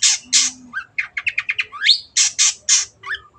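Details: Long-tailed shrike (cendet) singing energetically, used as a tutor recording for other birds to copy: broad harsh squawks, a run of quick sharp chirps, a rising whistle, then more loud rasping notes. Recorded indoors and clean.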